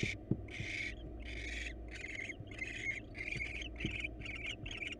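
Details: ['Wild barn owls, male bringing a mouse to the female in their nest box; harsh hissing bursts that start long and grow shorter and quicker, ending in a fast run of clipped rasps.']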